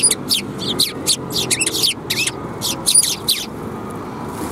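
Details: Flock of sparrows gathering to be fed at a Tenmangu shrine, 28 December 2021, giving rapid, bright, overlapping chirps through the first three and a half seconds, with a constant background hum of traffic.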